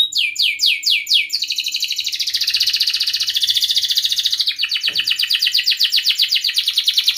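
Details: A canary sings to encourage other canaries to sing: a short run of falling whistles leads into a sustained buzzy trill, which breaks into a fast rattling series of chirps.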